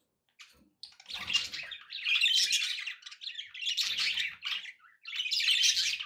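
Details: Pet budgerigars keep up loud, nearly continuous raspy warbling. Dense buzzy phrases are broken only by brief dips.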